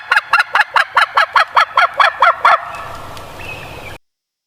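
A turkey gobbles in a fast, rattling burst of about twelve throaty notes in under three seconds, then fades into a soft background hiss.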